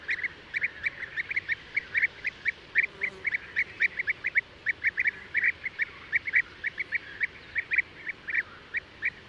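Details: Merops apiaster, the European bee-eater: crisp, burry notes repeated steadily for nine seconds at a rate of two or three each second, sometimes doubled, over soft background noise.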